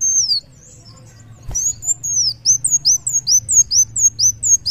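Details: Sunbird called kolibri wulung singing vigorously: a long, high, descending whistle, then a rapid, steady series of short, sharp, arched notes about twice per second.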